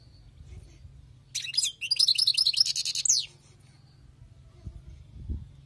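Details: European goldfinch caught from the wild, giving a fast tinkling phrase of about two seconds: tightly packed bright chirps and trills, then quiet with faint low background rumble.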